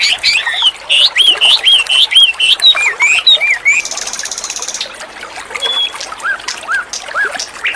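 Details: White-rumped shama in full song: a run of bright slurred whistles that rise and dip, then a dry buzzy rattle followed by a few fainter, lower whistled notes.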